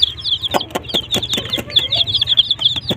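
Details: Desi chicks alongside a hen peep loudly and rapidly, high sliding notes tumbling over one another, punctuated by sharp clicks or taps.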